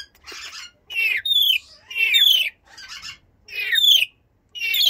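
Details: Blue-streaked lory squawking repeatedly, rasping screeches with shrill downward-sliding notes, about six bursts in quick succession.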